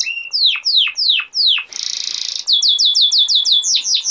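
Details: Male canary singing to tutor young canaries: strong falling whistled notes repeated about three times a second, a dense buzzing trill of under a second, then a quick series of bright downslurred chirps.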